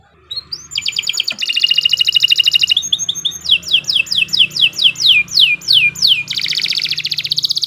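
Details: Canary song opening with a rising note into a rapid buzzy trill, then a run of loud falling whistles and another fast trill over a low background hum.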